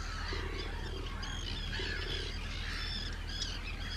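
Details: Hundreds of Arctic terns calling at a big breeding colony on Rottumerplaat, Netherlands, 4 June 2023; a continuous chorus of grating, squawking calls over a constant low rumble of wind or sea.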